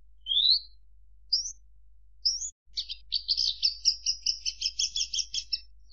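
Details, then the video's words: Javan bush lark: three rising whistled notes spaced about a second apart lead into a long, fast chattering trill of high doubled notes. "Suara Kicau Burung Branjangan"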